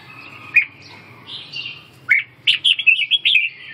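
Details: Red-whiskered bulbul: a lone sharp note, another after a pause, then a fast bouncing series of clear whistles.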